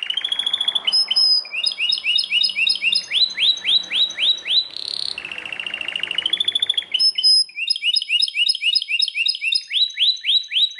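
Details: Belgian canary in strong, loud song: a long varied run of trills, tight clusters of quick chirps, rising whistled sweeps and a brief buzzy burst, with phrases repeated before switching to new ones.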